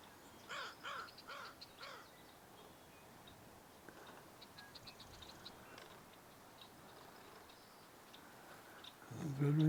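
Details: American Crow, one of two, on a spring morning at high tide with a slight breeze at Sargeant Bay Provincial Park, gives four harsh, evenly spaced caws in quick succession, then faint distant birdsong, a man's voice and a bump.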